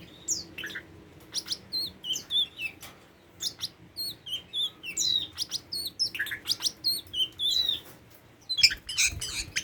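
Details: Tame Oriental magpie-robin singing brief high whistled motifs in regular bursts about every half second, with sharp ticking clicks between phrases, in a quiet setting.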